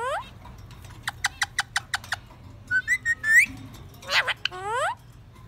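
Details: Pet parakeet, described as a happy talking and singing bird, gives a run of rapid clicks, a rising whistle and harmonic-rich rising chirps, with short bursts of chatter over a quiet background hum.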